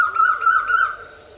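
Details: An Asian koel gives a short, loud burst of quickly repeated notes on one steady mid-range pitch, each note with a bright ringing edge, fading out after about a second against a faint background hum.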